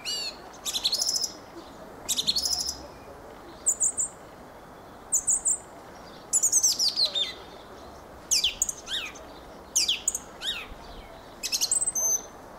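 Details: Fieldfare song: repeated bursts of harsh, squeaky chatter and high thin whistles, some slurring downward, delivered in short phrases every second or two over a faint constant hiss.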